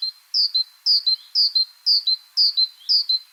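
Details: Repetitive Great Tit song: crisp high-pitched two-note phrases, the first note dropping onto a slightly lower second, six phrases delivered evenly at about two per second, sounding like 'chapim, chapim, chapim'.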